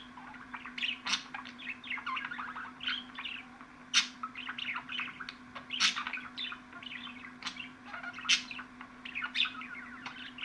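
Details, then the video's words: Budgies chattering busily, recorded for pet birds to hear: rapid varied chirps and warbles broken by loud sharp clicks every second or two, low hum throughout. "MUHABBET KUŞUNUZ ÇILDIRACAK,MUHABBET KUŞU SESİ"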